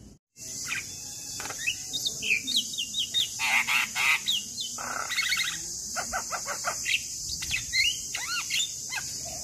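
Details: Male Javan myna, recorded as a lure to stir quiet or moulting mynas into song: busy, varied chatter of quick chips, rising and falling whistled slurs, and grating bursts, repeated in close clusters over a constant high-pitched hiss.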